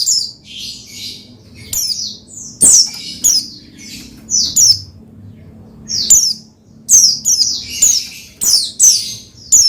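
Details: Singing Oriental white-eye, a caged pleci meant to spur another pleci into song: dense, fast runs of high falling chirps and twitters, nearly continuous in places, with a faint low hum.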